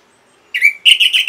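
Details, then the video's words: Orange-headed thrush (Geokichla citrina), a lure and tutor recording: after a brief silence it gives a bright, slurred, high whistle, then a quick run of loud, rich, high-pitched notes. "MASTERAN & PANCINGAN ANIS MERAH GACOR"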